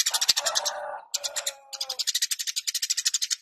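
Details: Eurasian tree sparrow (Passer montanus) singing vigorously: fast runs of sharp, high chirps repeated several times a second, with lower sustained tonal sounds over the first two seconds and a brief gap near one second.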